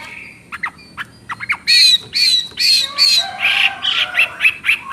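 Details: Chinese hwamei song: short sharp notes, then loud rich whistled phrases with harsh edges, repeated quickly, the pitch dropping toward the end.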